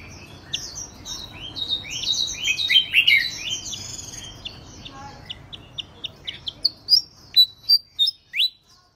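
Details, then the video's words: Prize-winning songbird, third place at a singing contest, in continuous song: a dense tumbling jumble of high chirps and whistles, then clean, evenly spaced falling whistled notes over a soft background hiss. "Burung Gacor Tanpa Henti Berkicau"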